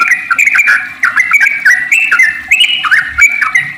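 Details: Lure song of a sooty-headed bulbul in the long rapid 'ropel panjang' style, meant to prompt other bulbuls to sing: dense, overlapping liquid whistles and chattering notes in quick succession throughout.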